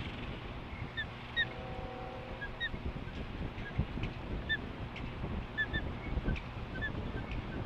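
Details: Female osprey holding a fish confronts a bold intruding female at the nest on a ranch in Lolo, Montana, August 15, 2015; short high chirps repeat irregularly, some paired, over steady low hum and rumbling background noise.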